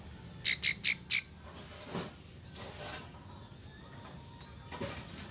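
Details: Plain prinia by a rice field, responding to a played recording of a wild bird's call: four loud, harsh buzzy notes in quick succession, then scattered fainter chips and thin high whistles.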